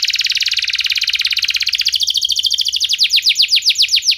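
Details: Canary singing a lure song meant to set other canaries singing, in the sharp 'nembak' style: a dense rapid trill for about two seconds, then slower, ringing down-slurred notes repeated several times a second.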